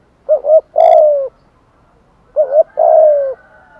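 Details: Decoy spotted dove calling to lure wild doves: two phrases, each a quick two-part coo leading into a drawn-out, gently falling coo, about two seconds apart, clean and close.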